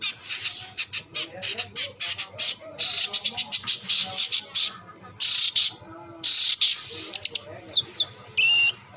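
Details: Long-tailed shrike singing a busy, fast song of harsh chattering bursts and sharp high notes, packed closely with brief pauses, with a few clear whistled upslurs near the end.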